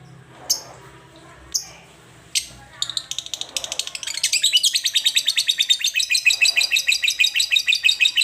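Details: Lovebird meant to become a busy singer (gacor) after calling rarely: three spaced harsh chirps, then a fast run of high, rapidly repeated scratchy notes building into continuous chattering trills, several notes per second.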